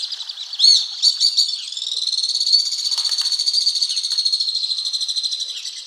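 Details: Alpine swifts in Hérault, France, July 2022: a few sharp chirps, then a long, fast, high-pitched twittering trill running on for several seconds with a rapid, even pulse.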